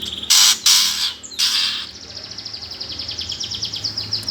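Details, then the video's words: Fighting song of a greater green leafbird, the 'gereja tarung' style meant to spur competition birds: three loud harsh rasping bursts open, followed by a fast run of thin descending chirps repeated about three times a second. "cucak ijo suara gereja tarung"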